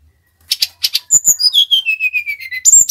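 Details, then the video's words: Brown-chested jungle flycatcher of the Bali type singing lustily, played as a lure: a few buzzy chirps lead into a long whistled run of notes stepping steadily downward in pitch, closing with sharp high notes. "SUARA SRDC BALI GACOR | Pancingan Burung Tledekan / Sulingan / Sikatan Rimba Dada Coklat Agar Bunyi"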